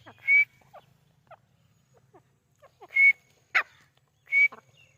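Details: Grey francolin in natural habitat in Pakistan gives loud, clear whistled notes about every one and a half seconds, with faint scratchy clicks between them and a soft low rumble underneath.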